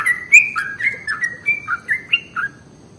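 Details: A lure to attract bulbuls: a sooty-headed bulbul delivers a lively string of clear whistled notes, alternating higher and lower pitches in quick succession, fading toward the close.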